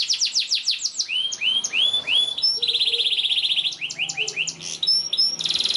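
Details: Long canary song played as a lure and tutor for young canaries. Rapid falling notes lead into looping whistles, then a dense, buzzy, steady trill, with more quick sweeps and a high rattle at the close.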